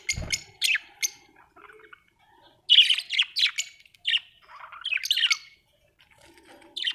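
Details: Budgie in a cheerful mood chattering: quick clicks, then loud rasping squawks and warbled chirps in uneven bursts, with a soft thud at the start.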